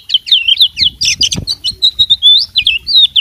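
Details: Fighting oriental magpie-robin pouring out a dense run of rapid, swooping whistles and sharp chirps, each note quickly following the last, with faint fluttering in the background.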